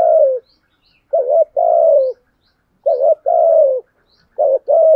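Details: Spotted dove used as a decoy bird, cooing in a trained style described as gáy luân khổi, with a thổ sấm voice. Low, mellow phrases: a short wavering note, then a long falling coo. About three phrases in five seconds, with no other sounds.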